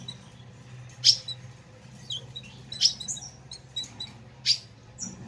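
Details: Fiery 'chiado' of an ultramarine grosbeak (azulão), used to stimulate captive birds: three loud, sharp broadband chips, each followed by brief high twittering and buzzy slurs, over a continuous low electrical-sounding hum.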